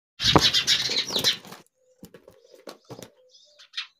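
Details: A hungry baby myna gives a burst of harsh, raspy begging screeches, then softer scratchy chirps and clicks, with a hum in the background.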